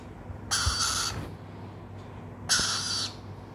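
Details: A young Swainson's lorikeet (Rainbow lorikeet, Trichoglossus moluccanus) chick responds when called by name, giving two harsh, hissing screeches about two seconds apart, each over half a second long, against a quiet indoor hum.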